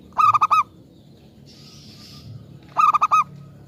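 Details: Zebra dove lure bird of local origin sings two clipped phrases of five ringing coos, separated by a brief hiss of high noise.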